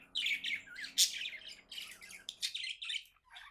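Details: Happy budgie chirping indoors, rapid sequence of squeaky chirps and scratchy squawky notes, with a low electrical hum beneath the first part.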